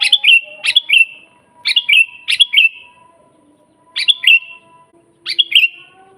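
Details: Sooty-headed bulbul singing vigorously, a natural master recording for teaching birds to sing and luring wild bulbuls: short bubbly three-to-four-note whistled phrases, each falling to a trailing tone, repeated in irregular bursts about every second.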